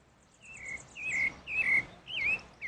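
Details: Four rich whistled phrases from a pale-breasted thrush in the wild, each a short wavering slur, spaced about half a second apart, with faint high tinkling notes above.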